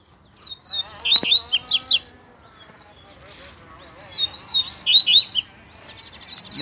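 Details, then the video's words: Double-collared seedeater in wild Brazilian scrub, where adults and a calling chick were found; two bursts of fast, high, warbled chirping phrases about three seconds apart, each lasting over a second, with a low rustle between them. "COLEIRO NO MATO TOP ATÉ FILHOTE PIANDO APARECEU!!!"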